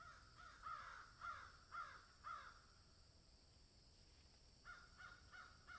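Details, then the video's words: Crows in a field give four spaced, hoarse descending caws about half a second apart, a lull, then a quieter cluster of caws. "Crows Swallow and Egret in field"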